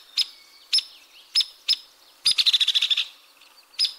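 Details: Hairy woodpecker giving a comparatively even-pitched rattle and sharp peek call notes: several single loud, sharp notes at uneven intervals, then a rapid rattle of about ten notes lasting under a second, then another sharp note.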